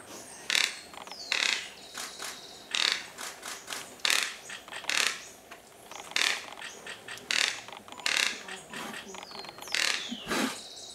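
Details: A plate-billed mountain toucan in cloud forest gives dry, rattling, ratchet-like bursts, roughly one each second, harsh and mechanical in tone, with faint background forest noise.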